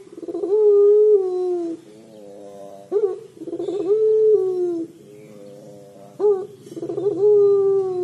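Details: Repeated 'crying' calls of a puter pelung collared dove: three long, steady low notes, each opened by a quick upward swoop and tailing off, with softer stuttering tones between them.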